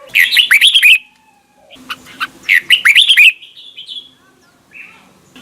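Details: Red-whiskered bulbul double-note wild-style song for morning training: two loud warbled phrases of rapid up-and-down whistles about two seconds apart, a rising drawn-out note after the second, faint calls near the end.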